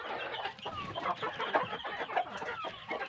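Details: Group of well-fed large chickens giving a busy mix of mid-pitched cheeping and clucking notes, packed closely together with no pauses, a few clearer whistled chirps standing out.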